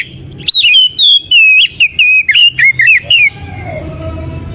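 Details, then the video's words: Oriental magpie-robin song for coaxing kacer out of silence or molt: about three seconds of loud, clear whistled phrases with twisting downslurs, closely spaced, followed by a fading low whistle and quiet background. "Pancingan dan Masteran Burung Kacer | macet bunyi | mabung | bahan"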